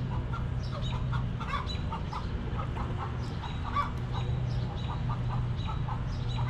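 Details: Chickens in a backyard coop keep up a busy run of short clucks from several hens, clustered notes about a second apart, underlaid by a steady low-pitched hum.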